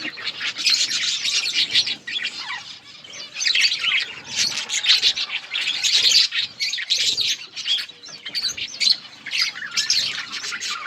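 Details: Many budgies in a breeding colony chatter nonstop, a dense wall of high twittering, chirps and squawks pulsing in loudness with brief lulls.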